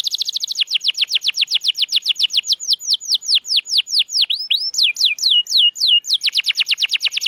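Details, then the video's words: Caged canary song played to encourage mute canaries to sing: rapid high trill slowing into separate downward-slurred whistles and some looping rising-falling notes, then speeding back into a quick trill. "Kenari Gacor‼️Masteran Handal Pancingan Burung Bisu Agar Cepat Gacor Lagi"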